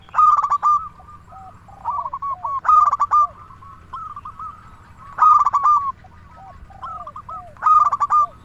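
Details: Local zebra dove song meant to stir other doves to sing: four bursts of rapid stuttered coos at a steady pitch, linked by quieter cooing trills and low slurred notes.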